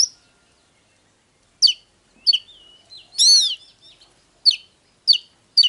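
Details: Oriental magpie-robin song from a file for stimulating birds to sing and fight: sparse sharp whistled notes about a second apart, with one harsh buzzy arched note midway.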